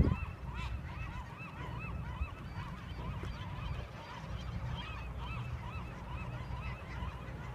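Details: Marbled godwits calling in flight as a flock on a fall day at Westport: a steady stream of overlapping, arched, nasal two-part notes, repeated rapidly by many birds, over a low rumble of wind or surf.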